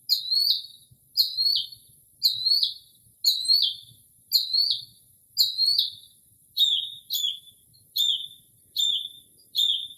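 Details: Northern mockingbird singing at night in early spring, recorded from a porch in still, quiet air while mimicking other birds: a bright slurred chirp repeated six times, then a switch to a sharper, downward-hooked phrase repeated about five times, roughly once a second.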